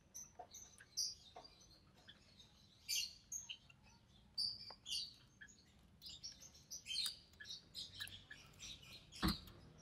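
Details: Budgerigar chick, recessive pied, hatched early June 2020, fed by its mother in a cage; scattered high squeaky chirps and chattering notes over ten seconds, with a few sharp clicks.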